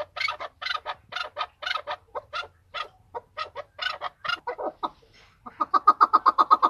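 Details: Chukar partridge, an excited male, Tajikistan, 2020. Broad raspy notes repeat at a quick pace, then a short lull gives way to a fast, tight run of sharp clucks.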